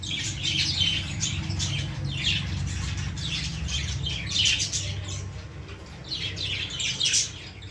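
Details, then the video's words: Harsh squawks and shrill chirps from baby lovebirds in a plant arrive in loose bursts every second or so, over a steady low droning hum. "baby love birds in plant l cute birds in plant l love birds sounds"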